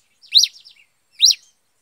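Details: Pileated finch, locally called cravina or cabeça de fogo, singing in the bush: two sharp high chirped notes, each a quick rising-then-falling sweep, about a second apart, with faint softer twitters between.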